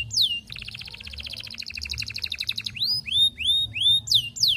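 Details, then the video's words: Canary courting a female, its song a lure to make other canaries roll: a falling whistle, a long double-pitched rattling trill, then loud rising and falling swooped whistles. "Kenari Gacor Panjang MERAYU BETINA Cocok Buat Pancingan Semua Jenis Kenari Biar Ikut GACOR NGEROLL"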